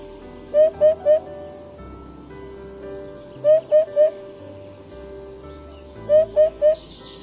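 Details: Eurasian Hoopoe, a ground-feeding bird of riverside farmland that raises its crest like a fan, uttering three soft, mellow, hollow "hoop" notes in quick succession, repeated three times about every three seconds, over background music.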